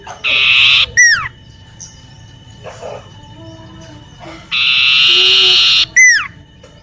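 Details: Common iora in full song in a garden near a home: two phrases, each a loud buzzy trill of about half a second ending in a sharp, steeply falling whistle, separated by several seconds of quieter background notes.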